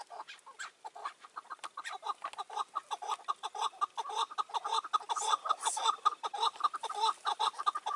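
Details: Chukar partridges calling, recorded in May 2024 while a caged decoy bird faced a wild partridge; a fast run of short chuck notes that quickens and grows louder over eight seconds into a dense rhythmic chatter.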